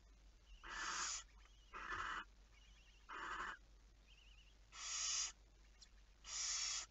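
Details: Barn owl on the night of 11 May 2019, 23:34: five hissing, rasping screeches about a second apart, with faint short wavering trills from another bird between them.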